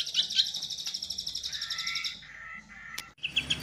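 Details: White-rumped shama, singer noted for a bowing display and lavish filler phrases, producing a fast stuttering trill of high repeated notes, then lower sustained whistles, ending with another burst of rapid chattering.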